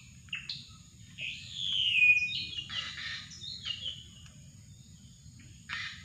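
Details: Drongo call used to lure birds: high, loud whistled notes that slide and sweep, including one drawn-out descending whistle, followed by a brief pause and a final harsh burst; quiet background otherwise.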